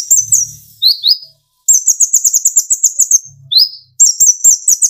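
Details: Brown-throated sunbird (kolibri ninja) song used to stir other birds into singing: a long, fast, very high twitter of clipped notes, interrupted by single upswept whistles and brief gaps, plus a faint low hum.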